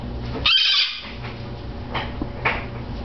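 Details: Pet female Bare-eyed Cockatoo indoors, barking while attacking her new foraging toy: one loud harsh rasping burst lasting about half a second, followed by two fainter short squawks, with a person's voice and room noise around.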